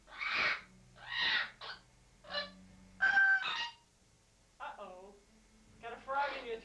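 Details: Pet parrot calling indoors in a bathroom, possibly reacting to its reflection or to pigeons outside: about seven harsh, harmonic squawks in quick bursts, some falling in pitch, separated by short pauses over a low steady hum.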